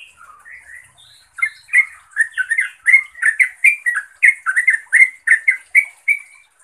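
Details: Sooty-headed bulbul calling to a rival or companion, opening with soft, scattered notes before breaking into a loud, steady series of quick chirping calls about three per second.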